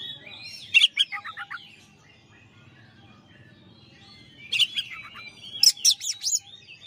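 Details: Champion Oriental magpie-robin master song. A sharp chip is followed by a quick descending trill of clear notes, then a pause. A busier run of loud chips and whistles follows, with gentle background bird whistling.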